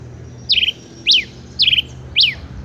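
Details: Male rufous-collared sparrow (Zonotrichia capensis) singing high, clear phrases: a slurred falling whistle into a short trill, then a sharp rising-and-falling note, repeated twice over a faint low hum.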